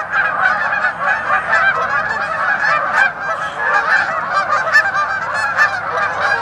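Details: Several geese honk at the same time in a loud, unbroken clamour of harsh nasal calls, with sharper individual honks rising above the crowded chorus now and then.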